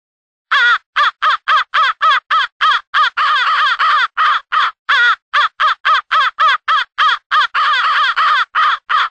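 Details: Studio mix of crows from two groups gathering for an early morning huddle: a long, steady volley of roughly thirty short, harsh caws in quick succession, nearly without pause.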